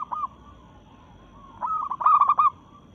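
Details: Zebra dove of a local strain, excited and in breeding mood, challenging rivals: soft cooing at first, then a loud, fast, stuttering run of rolling coo notes lasting about a second.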